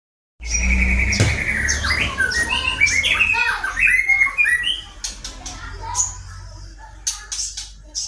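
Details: Caged white-rumped shama in breeding condition, set out in the sun, giving a varied song of rapid whistled and chirping notes sliding between high pitches, busiest early then thinning to sharp clicks, over low rumbling background noise.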